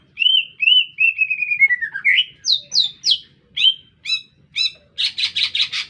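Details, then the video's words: Green leafbird singing in an urban centre: clear, slightly descending whistled slurs, then separated high metallic chips, ending in dense buzzy pulses repeated about every fifth of a second. "Cicak Ijo Gacor Bikin Meledak Suasana"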